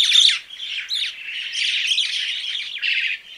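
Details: Song of a crested myna, opening with a loud harsh squawk and then running on as steady chattering, creaky notes and short whistled slurs.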